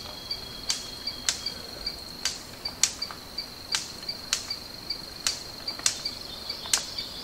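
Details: Male greater lophorina (Lophorina superba) displaying to a female in courtship, giving sharp, dry clicks about twice a second, over a steady high insect drone.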